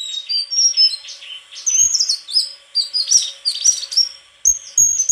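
White-throated flycatcher singing a high, rapid, unbroken stream of sweet whistles and twittering chatter, with a few faint low thumps.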